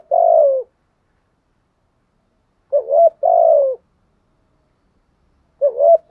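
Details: Spotted dove decoy bird cooing to lure wild birds: short two-part coos, a quick rising note then a longer falling hum, repeated about every three seconds against a silent background.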